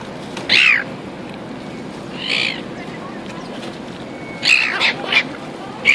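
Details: Seagulls at Auckland, New Zealand: a few short, scratchy squawks spaced out by quiet gaps, two or three in a quick cluster toward the end, over low background noise.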